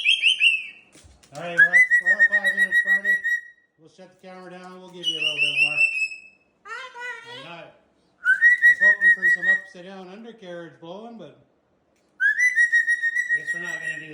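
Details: Pet sulphur-crested cockatoo indoors, being blow-dried by its owner, alternating bright rising whistles with rapid, throaty, speech-like chattering phrases in bursts separated by short pauses.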